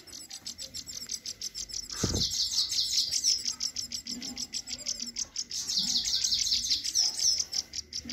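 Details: European goldfinch, male and female kept together, song: a fast, continuous run of bright tinkling twitters and liquid chirps, high-pitched and rapidly repeated, with a brief low thump midway.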